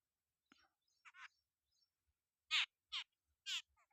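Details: Jungle babbler eating bugs on a farm: a few faint scratchy notes, then three loud, harsh, grating calls about half a second apart, followed by a soft trailing chatter.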